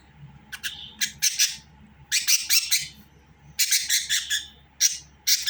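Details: Budgerigar chattering indoors in short, scratchy bursts of chirps and squawks, clustered in groups with brief quiet gaps, over a low steady hum.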